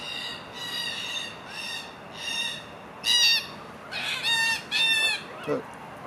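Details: Magpies feeding together as a family, making a run of thin, high, buzzy harmonic calls repeated about every half second, with a louder cluster of harsher squawks toward the end and a faint knock.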